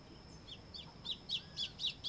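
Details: White-throated seedeater (Sporophila albogularis) song: soft high notes build into a series of loud, sharp chirps repeated roughly every quarter second over light background noise.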